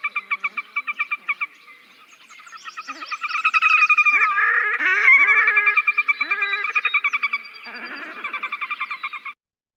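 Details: Red-necked Grebe (Podiceps grisegena) of marshes with emergent vegetation, often heard in the evening, gives a loud, nasal whinnying call, stuttered rapidly at first, then swelling into a long braying wail like a distant donkey, before stuttering again.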